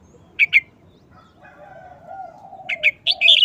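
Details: Red-whiskered bulbul in a cage performing a short, rapidly chopped wild-style song: two sharp chirps, a pause with a faint distant rooster crow, then a fast run of bright warbling notes.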